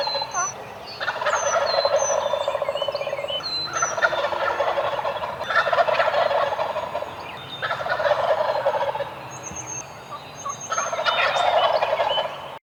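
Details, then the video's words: Eastern wild turkeys on the roost in the morning in Tennessee, gobbling repeatedly: several rolling, rattling gobbles in overlapping bursts every two to three seconds, with high thin whistles of other birds behind them. "Eastern Wild Turkeys GOBBLING THEIR BRAINS OUT on the roost"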